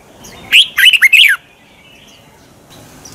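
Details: Morning song of a red-whiskered bulbul in the 'twisted voice' contest style, meant to rouse other bulbuls into singing: a single brisk phrase of four or five rolling, rising-and-falling whistles lasting under a second, then quiet.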